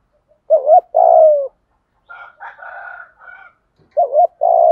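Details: Spotted dove cooing for decoy training in the urging and calling styles. A double note and a long falling coo, then a quieter higher harsh sound from another bird, and the dove phrase again.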